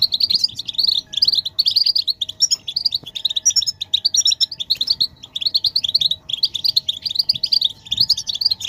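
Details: European goldfinches chorusing as motivational calls to make a male sing without interruption. Repeated, evenly spaced bursts of bright twittering notes form a bouncing rhythm, with some higher tinkling phrases mixed in and a soft hum beneath.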